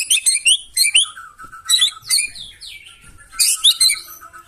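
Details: Murai batu, the white-rumped shama, delivering a loud, rough song meant to spur other birds into replying. Rapid bursts of varied high chirps and slurred whistles come in clusters, with low steady whistles in between and a shrill, rasping flurry near the end.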